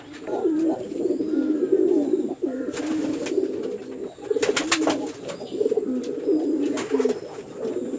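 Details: Male and female farmed pigeons fighting in a village house in Chittagong District, Bangladesh: deep, throaty cooing rolls almost continuously, broken by sharp flapping and scuffling bursts near three and five seconds.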